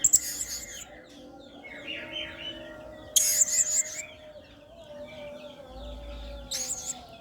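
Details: Blue-crowned hanging parrot singing in the energetic 'main singa' style, used as a tutor recording for other songbirds. Shrill, very high chirp bursts come near the start, middle and end, with softer twittering between and a steady low tonal hum underneath.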